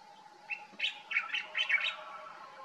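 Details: Common bulbul in Morocco in summer, singing in the morning: a short burst of quick, chattering, warbled notes lasting about a second and a half, rising and falling in pitch, with a steady low hum in the background.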